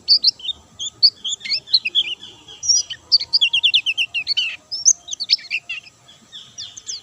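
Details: White-eye in vigorous song without doping: mixed high twitters and buzzy trills, a fast rattling series of short notes in the middle, then sparser bright chirps.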